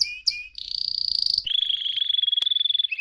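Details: Canary singing, presented as tutoring song for young canaries: quick chirps, then a dense high rolled trill, shifting to a slightly lower steady trill of rapid pulses lasting over a second.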